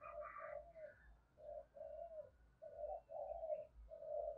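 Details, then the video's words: Quiet, slightly roomy recording of a spotted dove in the 'giọng thổ' style calling: soft hollow coos in pairs and short runs, separated by brief gaps, with a faint low background hum. "cu gáy giọng thổ gáy gọi"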